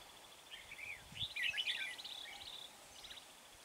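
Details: Red-whiskered bulbul decoy singing at a trapping site near Huong pagoda to lure wild birds: a quick run of warbled, slurred whistles with rising and falling notes, loudest mid-clip, over steady background hiss.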